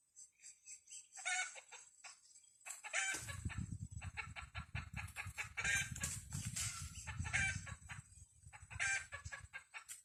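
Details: Red junglefowl lured with a decoy: bursts of short, rough, harmonic clucking notes, irregularly repeated, over a low rumbling and a steady high insect drone.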